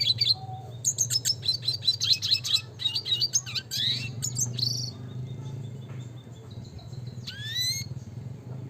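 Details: Red siskin song in the classic style, gacor nembak ngeroll, Spinus cucullatus: an energetic rapid twittering phrase for several seconds, then quieter pause and two clear rising whistles, over low background hum.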